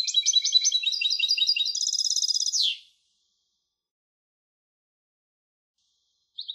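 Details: Song of a European goldfinch hybrid: a bright run of rapid repeated high twittering notes, shifting into a faster buzzy trill that ends in a downward slur, followed by silence and one short final chirp.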